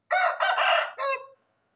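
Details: Aseel rooster crowing: a single loud, hoarse crow in three connected parts, a rough opening, a long strained middle and a shorter falling end, lasting over a second.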